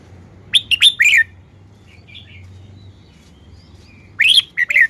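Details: A red-whiskered bulbul shows off its song style. A short burst of three or four clear, rising-and-falling whistled notes comes first, a soft faint call follows, then after a pause another similar lively phrase.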